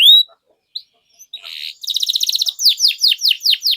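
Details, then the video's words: Canary song used as a lure for young canaries: scattered high notes, a buzzy burst, a fast trill, then evenly spaced falling high sweeps. "PANCINGAN Kenari GACOR PANJANG Cuit CUIT Ini Ampuh Untuk MASTERAN PAUD Kenari Belajar BUNYI"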